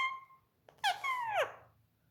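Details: Pet Indian ringneck parakeet indoors, taught to talk. A steady whistled tone, then a short harsh squawk and a loud descending, harmonic screech sliding downward.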